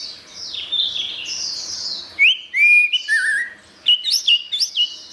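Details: Orange-headed thrush singing: high rolling warble, then pure whistled slurs, a lower wavering whistle, and finally sharp upward-flicking chirps repeated in quick succession.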